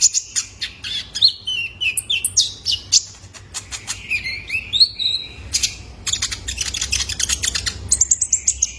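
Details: Young male Kolibri Ninja sunbird recorded as a lure for caged birds: a busy run of high, thin chirps, brief downward slurs and rapid ticking notes, growing denser and faster toward the end, with a faint low hum beneath.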